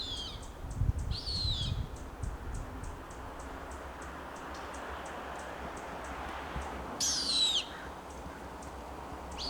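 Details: Juvenile Cooper's hawks (Accipiter cooperii) in Monterey pine forest at Pebble Beach, California, a young bird challenged by a larger one, give a few thin, high, down-slurred squealing whistles, several seconds apart, over insect ticking and low rumble.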